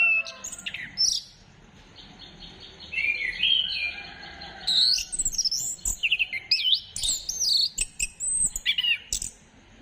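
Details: Orange-headed thrush (anis kembang) used as singing bait, dated 15 December 2025. Full, rich song of varied high whistles, slurs and quick trills, growing busier and more rapid toward the end.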